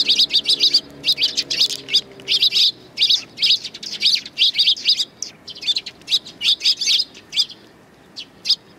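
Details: A busy group of sparrows greets the recordist on 7 April 2020 on the way out, one bird with a sore leg; rapid, bright chirps tumble almost continuously, thinning to a few spaced notes near the end.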